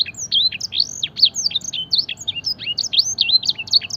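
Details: Blackthroat-style canary training song, a rapid, musical chain of looping whistled notes, rising and falling without pause over four seconds.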